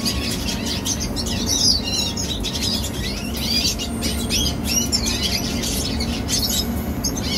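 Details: A young red siskin sings a continuous, chattering warble of quick high notes, with scratchy bursts and brief whistled slurs over a constant low hum.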